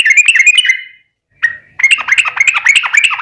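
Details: Yellow-vented bulbul (trucukan) in spirited chattering song, used to draw answers from other birds: a quick bubbly phrase, a pause with one short note, then a dense run of gurgling, tumbling whistles.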